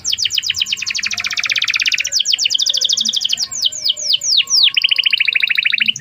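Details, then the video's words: Canary song played as a lure to teach a young bird: long, fast trills of steeply falling notes repeated in rolling tours, switching pace and pitch, with a brief dry rattle near the end. "kenari gacor panjang Cuit Cuit EMOSI, Pancingan Kenari Paud Belajar Bunyi"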